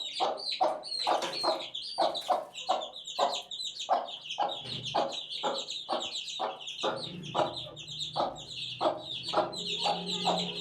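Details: Eighteen-day-old chicken chicks peeping continuously: many short, high, downward-slurred cheeps overlapping in quick succession, mixed with sharp tapping or pecking clicks and a faint low hum toward the end.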